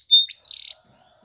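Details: Canary training song, Spanish Timbrado style: a brief high whistle followed by a rising slur and a short buzzy note, then silence.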